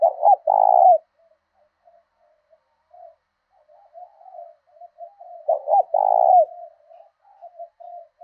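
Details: Decoy spotted dove with the southern Vietnamese 'thổ đồng' voice, calling to incite fighting and attract wild doves: a double-note-and-long-coo phrase, soft broken murmuring, then the phrase repeated about five seconds later.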